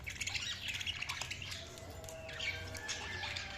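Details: Budgerigars chatter in a dense, continuous jumble of scratchy high chirps and squawks, heard slightly distant over a soft low background hum.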